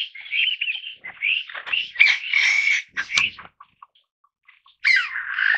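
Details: Taiwan bamboo partridge (Bambusicola sonorivox) gives loud, harsh, ringing phrases in a rapid three-second burst, then a brief pause before another strident phrase begins.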